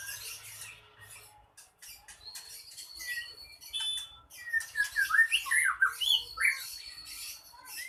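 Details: Short-tailed bird in an aggressive, agitated state, a song used in bird contests to rouse rival birds to fight, recorded indoors: rapid jumbled chirps, sliding whistles and rising-falling notes, growing louder in the second half.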